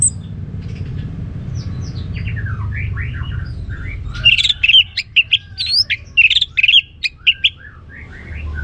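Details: Orange-headed thrush delivering gacor ngeplong song: faint scattered whistles give way to a long, energetic string of loud, piercing notes, slurred and clipped, varied in pitch, ending in softer calls over low rumble.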